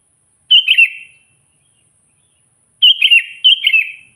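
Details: Sooty-headed bulbul, a lively singer, calling to draw in and provoke wild bulbuls: three bubbly, warbled phrases, one alone then a quick pair about half a second apart, each sliding downward and trailing off, over a silent background.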